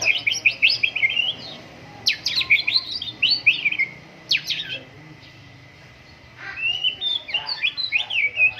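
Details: Morning dew airing of a white-rumped shama singing vigorously: bursts of sharp, rapid high chips and whistles, a silent gap of about two seconds, then another lively burst.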